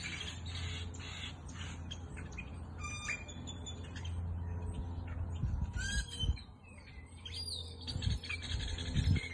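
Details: Sunset bird chorus in Goodyear, Arizona, with hundreds of birds calling: sharp high chirps and rapid chip series, a few squawky notes, over a persistent low rumble.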